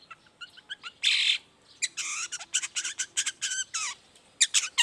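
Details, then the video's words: Long-tailed shrike in morning song, meant to draw answers from quiet shrikes: harsh, raspy squawks and buzzy bursts mixed with sharp high chips, delivered in irregular rapid runs. "toet toet Suara cendet gacor Pagi Hari pancingan jitu BIKIN cendet diam langsung nyaut ikutan bunyi"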